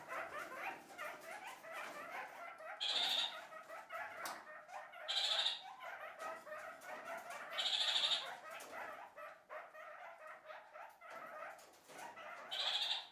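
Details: Flock of kakariki communicating: steady lower murmuring chatter, broken every two to three seconds by brighter, sharper squawks that stand out above the group.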